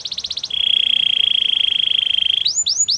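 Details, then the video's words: Canary song for coaching other canaries: a short pulsed trill, a long even buzzing trill held about two seconds, then rising-falling whistled notes. "Canary training champion song!! Canary's most powerful song for training"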